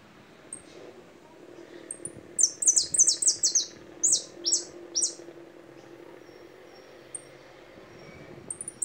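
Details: Goldfinch song: a cluster of high, quick downward-slurred notes repeated in short bursts for about three seconds, then a few isolated thin chips amid a faint background hum.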